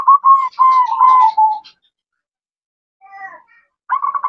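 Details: Female zebra dove calling a male: a run of quick pulsing coo notes lasting under two seconds, then silence, a soft broken phrase, and the start of another rapid trill.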